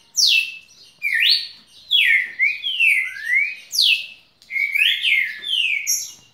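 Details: Captive red-cowled cardinal kept as a pet, singing non-stop for one minute and 23 seconds; loud clear whistled phrases slurring down and up, a new phrase roughly every second, with no other sounds.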